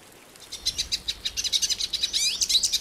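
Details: Hooded siskin, a Brazilian bird, starting softly then building into rapid high chirps and twitters with a couple of rising and falling whistled slurs.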